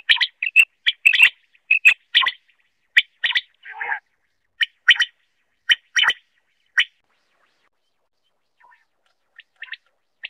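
A common quail gives short, sharp, chirping notes, singly or in quick pairs, at an uneven pace, with one brief scratchy rasp midway and a quiet pause near the end.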